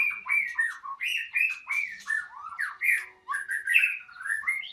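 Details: White-rumped shama singing at a breeding site: a fast, varied run of whistled and chattering phrases, sliding notes mostly high-pitched, with brief sharp clicks between phrases and no pause throughout.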